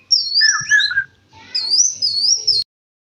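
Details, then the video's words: A sooty-headed bulbul sings a brief lively phrase: a high wavering whistle dropping to a lower buzzy slur, a short pause, then a high trilled, warbling run that stops abruptly. "burung kutilang gacor"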